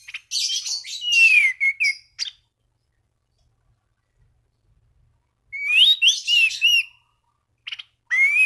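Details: Orange-banded thrush singing gacor to stimulate rivals: long jumbled phrases of harsh buzzy notes and clear slurred whistles, repeated after a silent gap, ending with a rising whistle.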